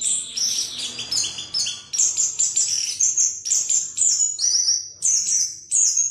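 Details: Orange-headed thrush in a long, unbroken rolling song of high, varied whistles and sharp chirps, the phrases tumbling quickly one after another, played as a lure to get other birds singing openly.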